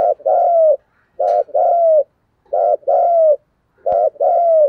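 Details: A spotted dove repeats the lure coo called thúc gù giọng thổ, used to attract wild birds: four even phrases of a brief hoot plus a drawn-out, slightly falling coo, with sharp clicks between two of them.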